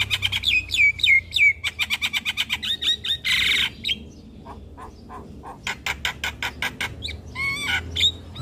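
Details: Javan myna song used as a training master for young mynas: a fast series of about twenty repeated whistled-chirp notes, a short harsh rasp, then more evenly spaced chips and a few slurred whistles.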